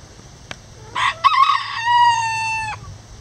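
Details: A free-ranging backyard bantam chicken, a rooster, crows once: a quick rough two-note start, then a long steady harmonic note held about a second before cutting off.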